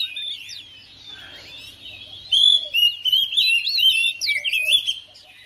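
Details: Oriental magpie-robin at home, replying to another bird: quiet at first, then a loud stream of sweeping whistles, rapid twitters and scratchy notes from midway on.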